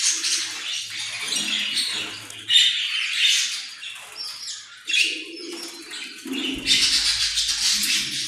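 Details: Australian parrot calling with a run of scratchy squawks and short chirps, several sharp loud onsets, and faint low thumps in the background.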